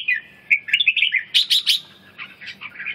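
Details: Red-whiskered bulbul singing a rapid, bubbly run of warbled notes, a few sharp bright chirps in the middle, then softer fluttering phrases trailing off, with a low steady hum underneath.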